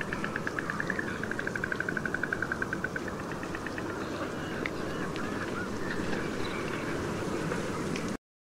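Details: White stork, a summer visitor in Kruger National Park, gives a fast, dry, wooden rattle of bill-clapping for about three seconds. A steady rumble, probably a vehicle, fills the rest.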